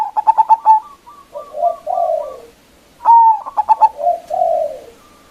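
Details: Big-voiced local zebra dove luring rival doves: two full phrases, each a bright whistle, a burst of quick stuttering coos, then low drawn-out rolling purrs.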